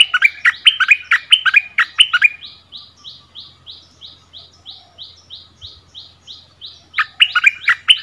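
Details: Bulbul in a double-song duel with a new territory holder in its old home ground: a rapid burst of bright chirps, then a steady series of faint high buzzy notes, then another chirped burst.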